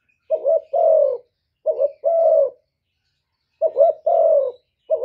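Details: Spotted dove cooing to provoke rivals: repeated low, hoarse coos in groups, each a short two-part note followed by a longer drawn-out coo, about every 1.5 to 2 seconds, with silence between.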